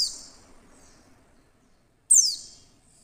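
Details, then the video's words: Female Oriental white-eye lure call: the fading tail of one high chirp, a quiet pause, then a single loud, thin chirp dropping sharply in pitch. "pleci betina SUARA JERNIH pasti cepat memancing pleci buka paruh"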